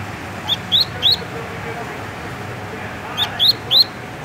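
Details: Double-collared seedeater (coleiro), a kept bird of the "tui tui" song type from Rio de Janeiro, Brazil, sings two bursts of three quick, high, rising whistled notes, each burst about half a second long, separated by a short quiet pause.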